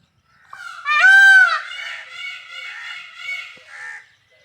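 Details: Peacock giving one loud, drawn-out wailing call with a rising first note and rich harmonics, then fading into several weaker trailing notes, in an otherwise quiet setting.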